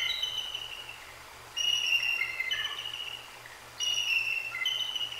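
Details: Bald eagles (female DNF and mate) at Decorah North nest, 2 January 2024, calling after a great horned owl struck the sleeping female on her perch: thin, high chittering bursts of piping notes about every two seconds over a low hum.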